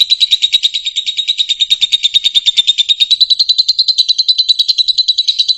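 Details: Fischer's lovebird song used to teach young birds to sing cleanly: an unbroken, rapidly pulsed high trill, about eight beats a second, slightly rising in pitch toward the end.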